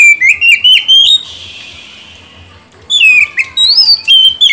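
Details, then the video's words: Lure song of an Oriental magpie-robin for a bird gone quiet. Rapid whistled notes are cut by over a second of steady hiss, then brisk sliding whistles return. "Pancingan dan terapi kacer macet/bahan pasti langsung nyaut rajin bunyi"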